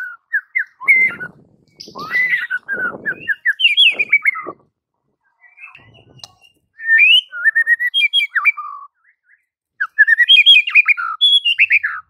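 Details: White-rumped shama singing in a training recording meant to draw mute shamas into song: long runs of quick, varied whistled notes, rising and falling, in three bursts with short silences between.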